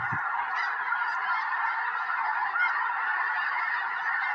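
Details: Hundreds of migrating snow geese landing beside a Tennessee home in winter, before a big snowstorm; a thick, even chorus of shrill honks from the whole flock, a short low knock at the start.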